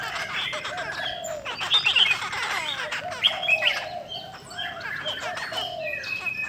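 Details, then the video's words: Chinese hwamei hen, cow-skin variety, singing to stimulate males: quick chattering notes about four per second, with piercing whistled peaks standing out twice in the middle. "KHƯỚU DA BÒ MÁI SIÊU KÍCH TRỐNG"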